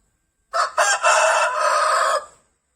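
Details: One real rooster crow, loud and rasping, opening with two short jerky pulses and stretching into a prolonged strained cry that trails off, nothing else audible.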